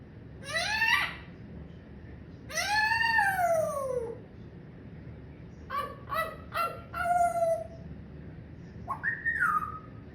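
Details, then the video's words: Pet parrot laughing and talking indoors: long, rich, descending drawn-out cries with many overtones, then a cluster of short choppy syllables and a final rising-falling note, like speech-like chatter. "PARROT MY BUDDY HIS LAUGHING TALKING AND COUGHING"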